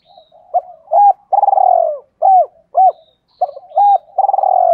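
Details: Spotted dove in the Thổ Pha đồng voice style, a lure for drawing wild doves back fast: strong, rhythmic coos, short sharp notes alternating with long rolling ones, repeated in a steady chanting pattern.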